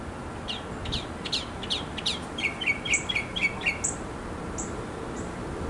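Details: Backyard male mockingbird singing to attract a female, varied mimicking song: quick downslurred chirps, then a rapid burst of short repeated notes, followed by high isolated whistles, over soft background hiss.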